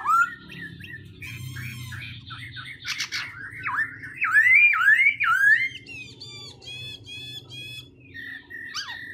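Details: Black-throated laughingthrush switching its voice continuously: fluid rising and falling whistled phrases mixed with harsh, buzzy bursts and sharp chirps, ending in a few higher whistled notes, over a low background hum.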